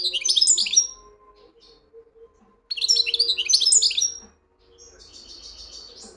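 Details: Wedani-style song of a European goldfinch: lively, liquid twitters and quick trills delivered in two loud phrases, then a softer buzzy, nasal run of notes near the end over a low steady hum.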